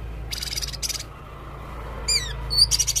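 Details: Blue-crowned hanging parrot, called red-necked serindit, in full varied song: buzzy high bursts early on, then sharp falling and rising whistled slurs near the end, over a low steady hum.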